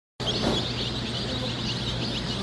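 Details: Brown Leghorn chicks at a hatchery, many faint high peeps scattered through the clip over a steady low electrical hum and background noise.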